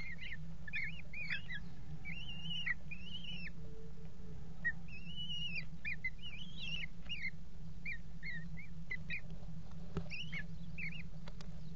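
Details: Eurasian kestrel at a water-tower nest box on 5 February 2018, mating on the edge of the box: a series of thin, arched whistled call notes, some in quick clusters, over a steady low hum.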